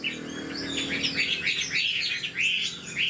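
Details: Short burst of song from a caged old wild-caught Chinese hwamei: rapid, bright whistled notes rising and falling in quick succession over a faint low hum.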